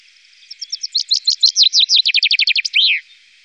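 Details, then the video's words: Song of a common chaffinch from the Wittlicher Tal, 2018: a few soft introductory notes accelerating into a loud, rapid trill of downward-sweeping phrases and closing with a ringing downslurred flourish over a low steady hum. "Buchfink 2"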